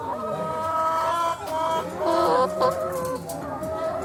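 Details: Chickens carried in a vehicle before slaughter, giving drawn-out, nasal, wavering cries that overlap and pulse, with short clucks between them.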